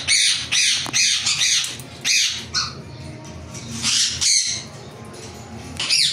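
A ringneck parrot gives harsh, grating squawks in quick, uneven bursts, about two a second, with short pauses between runs.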